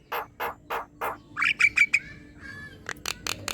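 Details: Javan myna song for training other caged birds and prompting them to sing: four evenly spaced harsh rasps, a few short whistled chips, a thin level whistle, then sharp clicks.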